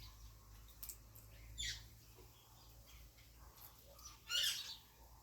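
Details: African grey parrot giving two short, harsh, high squawks, one early and a louder one near the end, with quiet background between.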